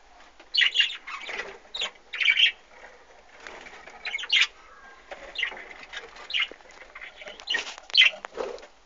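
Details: Budgerigars kept in an aviary with chicks, recorded in 2013: bursts of harsh, buzzy chirps and warbles repeated irregularly, roughly every second, with short quiet gaps and soft background rustling.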